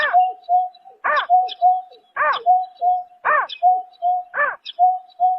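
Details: Greater painted-snipe, heard at night in March 2024: five strong, harmonic, arching notes, each followed by a pair of steady mid-pitched hoots, forming a continuous rhythmic pattern.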